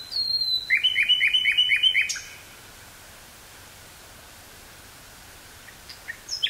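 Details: Common nightingale singing in woods near Burgh-Haamstede, Netherlands, on 18 May 1983, taped on a portable cassette recorder with stereo microphone: a high whistled note, then a rapid series of six sharp repeated chirps, followed by quiet pause and faint notes.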